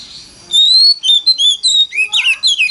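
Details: Oriental magpie-robin pouring out a forest-style lure song to set other magpie-robins singing: a drawn-out rising whistle followed by quick sweet notes, then a busy jumble of slurred, chattering phrases.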